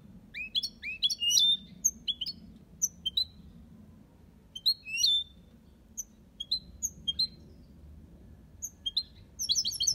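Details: European goldfinch in an aviary, song in the copia Malaga style: a steady stream of high, bright chirps and twittered phrases with occasional buzzy notes, pausing briefly before a final rapid tinkling burst.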